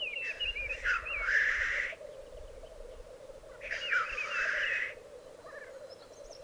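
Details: Lekking black grouse in the Piedmont Alps, Italy: two long, forceful hissing sneezes, each beginning with a quavering whistle, about three seconds apart, over a steady low bubbling murmur.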